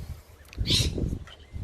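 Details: In a backyard of tropical fruit trees, parrots that seem angry at their owner give a single harsh, rasping screech that bursts out briefly over low rumbling wind, handling noise and faint rustling.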